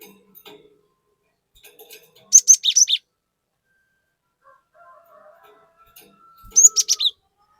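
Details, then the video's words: Cinereous tit's loud 'nembak' bursts, meant to provoke untrained tits: two short clusters of rapid, sharp high chirps roughly four seconds apart, with near silence and a faint thin tone between. "Pancingan Burung Glatik Batu Gacor Fariasi Glatik Bahan Auto Emosi || Glatik Batu Gacor Nembak"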